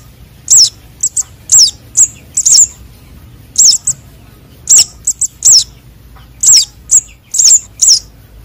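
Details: Chicks of konin and sogon sunbirds, used as a luring call: piercing high chirps, each a quick downward flick often followed by a shorter clipped note, about one cluster per second.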